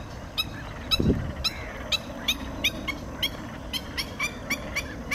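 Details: Bar-headed goose calling: a rapid series of short, clipped nasal notes, about two to three per second, over steady low background noise, with a brief dull thump near the first second.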